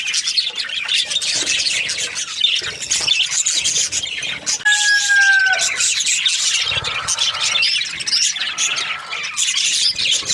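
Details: Breeding pairs of budgerigars fill the air with busy high chirps and squeaky chatter; midway a clear, slightly falling whistle stands out for about a second above the crowded chorus.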